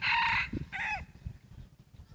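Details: F2 hybrid rooster, half red junglefowl, black and red plumage still molting, voice said to be changing slightly: a harsh, loud crow, one sustained buzzy note ending in a short falling final syllable, then quiet rustling.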